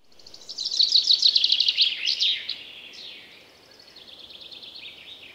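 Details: Common chaffinch singing in a forest: a bright two-second phrase of rapid repeated notes sliding slightly downward and closing with a brief flourish, followed by fainter, thinner birdsong in the background.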